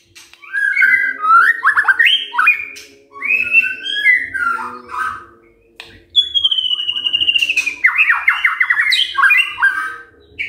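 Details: Long morning song of a white-rumped shama used to make other birds answer: varied warbling phrases, a long descending trill-like whistle, then rapid chattering note series.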